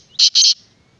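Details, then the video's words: Black francolin, known locally as kala teetar: two loud, harsh, grating bursts in quick succession, rasping and broad, with a quiet background. "Black Francolin kala Teetar"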